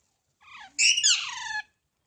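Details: Baby parrot giving one drawn-out, grating squawk lasting about a second, starting softer and then swelling into a loud, buzzy harmonic screech that descends at the end.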